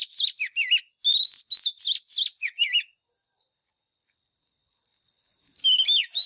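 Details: Competition-style song of a white-rumped shama, played to train caged birds: rapid high whistled phrases with sweeping, twisting notes for about three seconds, then a steady thin high tone before a short burst of song resumes.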